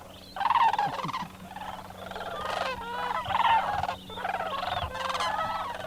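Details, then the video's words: At dawn in winter, a large flock of Sandhill Cranes waking and flying out from a frozen wetland roost pond at Bosque del Apache NWR, New Mexico, gives loud, rolling, rattling bugles overlapping into a continuous chorus that swells and fades. "Sandhill Cranes at Dawn"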